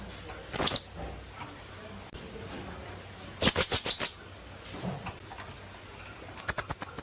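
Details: Philippine hanging parrot, known locally in Tagalog as kulasisi, a small parrot endemic to the Philippines: three short bursts of very high, thin, shrill screeches, the middle burst a rapid run of about six notes, separated by quiet gaps.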